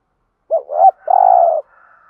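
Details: Single phrase of a spotted dove in the thổ voice, used to stir decoy doves into cooing: a brief wavering double note sliding into a long, level low coo, then quiet.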